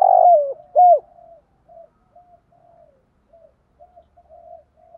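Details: Spotted dove kept as a lure bird, calling in the urging 'thúc gù' style to provoke wild doves: two loud, low, slurred coos open, then fade into soft, broken murmuring notes. No other sounds.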